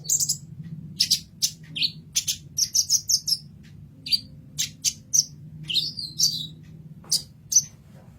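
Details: Sunbird called kolibri ninja singing for a masteran: quick high chirps in uneven clusters, several with downward slurs, and a short wavering warble near the end, over a quiet background hum.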